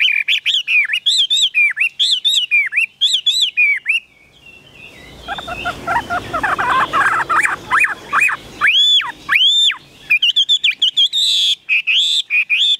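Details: Caged Chinese hwamei in Vietnam delivering loud, bright whistled phrases, repeated rapidly. A noisy, rustling stretch in the middle carries softer chattering notes, then strong looping whistles resume.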